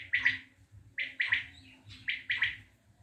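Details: A Common quail from Tajikistan gives its sharp, liquid three-note 'wet-my-lips' phrase, repeated about every second, over a faint low hum.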